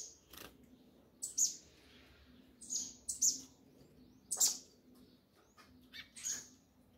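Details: Double-collared seedeater giving its 'mexida' known as 'do grego': clean, very high, sharp chips and short descending slurs, single or paired, spaced one to one and a half seconds apart over a quiet background.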